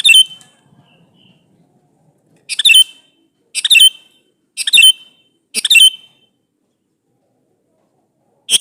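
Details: Male sooty-headed bulbul calling a female, used as a lure to make other bulbuls answer: a quick burst of bright, bubbly notes, then four chattering phrases about a second apart, and one more phrase at the close.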